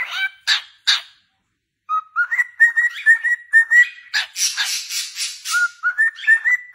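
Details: Cockatiels singing joyfully: two loud squawks, a silent pause, then a string of bright, slightly rising whistles broken by a burst of raspy chatter.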